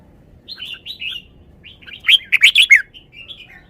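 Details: Song phrases of a caged red-whiskered bulbul: a few quiet, wavering whistles, then a fast run of chirps building into loud, rich, bubbling notes, and soft whistles trailing off.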